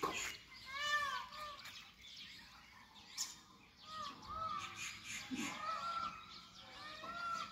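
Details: Indian peafowl heard in the jungle after the rain: one clear arching wail early on, then fainter repeated cries from further off amid soft chirps and background hiss.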